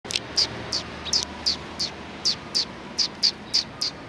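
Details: Sparrows greeting arrivals in front of a cultural hall on 7 February 2020: a steady series of short, high, sharp chirps, about three per second, evenly spaced over a quiet background.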